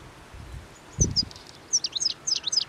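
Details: Flock of European goldfinches feeding on plane tree seeds along the Anapodaris river in midwinter, 17 January 2021; a soft rustle, then quick, high, sliding chirps tumble out in a lively twittering run.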